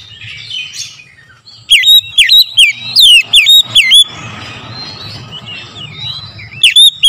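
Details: Morning lure song of an oriental magpie-robin: a rapid run of about seven loud, ringing whistles that swoop down and up, then softer warbled phrases and faint twittering, with one more loud whistle at the end.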